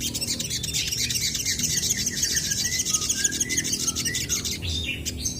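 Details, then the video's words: Crested jay, birds answering each other: a run of short whistled notes, some rising and some falling, at mid pitch over dense high-pitched chirping and a steady low hum. "SOGON GACOR BERSAHUTAN"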